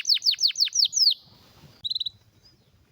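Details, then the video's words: Canary song: six loud falling slurred notes in quick succession, a fading pause, then a short burst of four rapid whistled pips. "Canário com Canto Raro e Forte – Ótimo para Seu Mestre Canário HD - CANARY SOUND MELODY"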